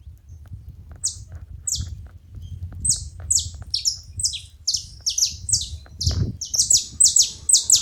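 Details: Saffron finches together making noise: scattered high, falling chirps at first over steady low rumbling, growing faster and denser into an overlapping chorus by the end, with one louder low thud midway.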